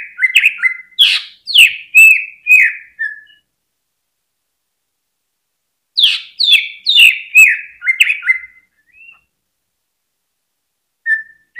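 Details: Greater green leafbird singing to provoke other birds into song: two bursts of sharp, rapid downslurred whistles, about five to seven notes each, separated by a long silence, then a single soft closing note.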